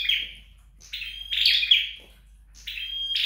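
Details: Flowerpecker song during home training: a fading buzzy note, then high thin whistles mixed with rasping chatter, repeated at irregular intervals about every second.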